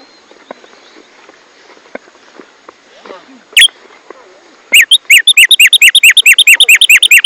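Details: A Rufous-collared Sparrow with a strong, constant, dominant song: after a quiet stretch of faint clicks, a loud, bright run of sharp down-slurred chirps, about six per second, for over two seconds.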